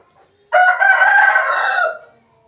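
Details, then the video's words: An Aseel rooster gives one strong, rough crow of about one and a half seconds, beginning abruptly at full power and tapering at the end, with a faint low call afterwards. "Asil Rooster Sound Effect |Aseel Roosters crowing Compilation | aseel murge ki awaaz"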